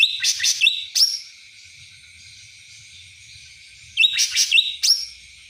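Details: Song of a cucak ranting in the kapas tembak manner: a cluster of rapid, high, chattering notes with a rising whistle, silence, then the same lively phrase returns.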